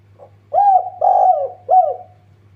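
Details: Spotted dove, the tekukur, cooing as a lure to get other birds calling: a soft introductory note, then three mellow, hollow coos, the middle one longest, with a steady low hum behind.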